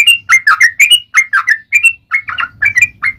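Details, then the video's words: Singing yellow-vented bulbul, fighting-style 'ropel panjang' lure song: a brisk string of bright chirpy whistles sliding up and down, with brief pauses and a low background hum in the last second. "SUARA trucukan gacor ROPEL PANJANG buat Pancingan trucukan agar bunyi"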